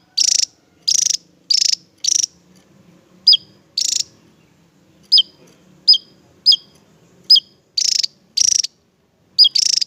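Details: Long run of Javan tesia song with harsh pulsed buzzes in quick succession and interspersed high, downslurred notes. Brief gaps break the delivery.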